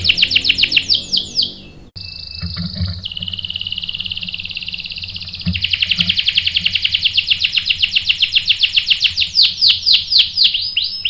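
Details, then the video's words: Canary singing as a lure to make a male respond. Fast descending notes, then a long buzzy roll, building into a rapid, even stream of sharp repeated notes and ending with swoops. "PANCINGAN KENARI GACOR bikin EMOSI jadi NYAUT GACOR NGEROL | CANARY SINGING"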